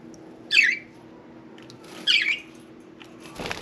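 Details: Pet budgerigar indoors, two short harsh chattering calls about a second and a half apart, with a soft rustle at the end over a steady low room hum.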